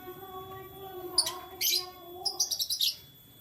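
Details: Canary heard in the morning giving a few piercing high chirps, then a rapid even trill of repeated sharp notes, about seven in half a second, while a steady low hum runs underneath.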